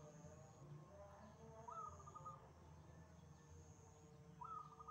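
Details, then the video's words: Wild zebra dove in full voice, giving two rising, trilled cooing phrases about three seconds apart. Softer lower notes fill the gaps, with a steady high whine and quiet low rumble behind. "PERKUTUT LIAR GACOR"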